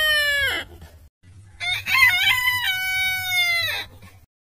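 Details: Cock-a-doodle-doo from a rooster: a descending harmonic note, a pause, then a long, rough crow holding steady before dropping off, over a faint low background hum.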